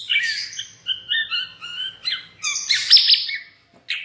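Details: White-rumped shama lure song used to provoke other shamas: a series of short, paired, slurred whistles repeated roughly every half second, rising into a loud harsh chattering burst, then a brief final note.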